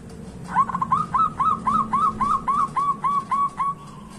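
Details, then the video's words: Zebra dove song of a dozen rhythmic, arched, fluty coo notes in a steady sequence. It is meant to prompt quiet doves to start singing, and a constant low hum sits in the background. "Pancingan Perkutut Malas bunyi dan bisu"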